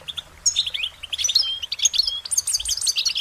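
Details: Goldfinches singing a cheerful, musical run of short warbling notes: quick high twitters and chirps strung together without pause, with brief slurred phrases and bright ringing notes toward the end.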